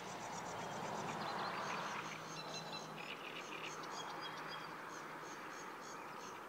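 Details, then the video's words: Sedge warbler singing beside the Kyjovka stream at Lanžhot, Czech Republic, on 15 May 2016; a quiet, distant run of rapid, chattering and scratchy repeated notes, with a low murmur heard in the first two seconds. "Rákosník proužkovaný (Acrocephalus schoenobaenus)"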